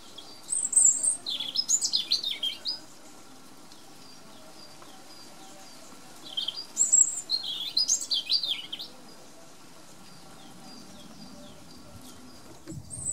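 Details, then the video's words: European robin delivering two separate rapid, varied song phrases about five seconds apart, each a jumble of high thin whistles, slurs and trills lasting roughly three seconds, silence between, brief low thump at the end. "Erithacus rubecula Κοκκινολαιμης κελαηδημα"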